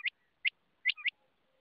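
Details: Rain quail (Coturnix coromandelica) calling: four sharp, high, metallic notes about half a second apart, the last two closely paired; otherwise quiet.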